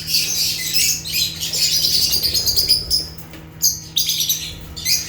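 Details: Natural chirping of rare African lovebirds (Agapornis): a loud continuous stream of piercing, high twittering squeaks, then a few sharp separate chirps, over a faint low hum.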